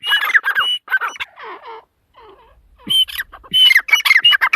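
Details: Female teetar, or partridge, giving rasping squawky korak notes, interrupted by softer, lower wavering sounds before the loud harsh calling returns.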